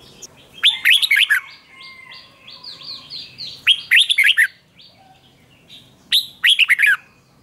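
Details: Contest-singing red-whiskered bulbul repeats short phrases of bright, descending slurred whistles about every three seconds, with fainter bird chirps layered between them.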